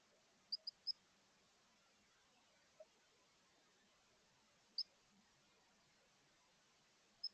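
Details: A female chickadee inspecting a newly built bird house chirps with her mate outside: short, high chips, a quick run of three, then single notes spaced a few seconds apart, against a quiet background.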